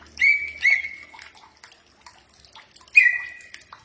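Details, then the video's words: Common iora giving a few clear whistled notes, each starting with a short upward flick and held level, spaced by pauses, from a recording made to get birds to answer. "Mastran burung cak ijo pasti nyaut"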